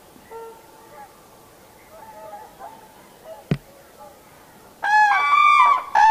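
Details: Common crane at Heinä-Suvanto nature reserve, Viitasaari, recorded 26 April 2011: faint scattered calls at first, a sharp click midway, then a loud, harsh, richly harmonic trumpeting call of about one second, with a brief second burst at the end.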